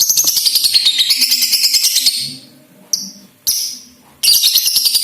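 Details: Lovebird, a Balibu-type lovebird, sound used to prompt other lovebirds to sing and chatter: dense high hissing chatter built from rapid ticking pulses, broken by short pauses and brief sharp bursts.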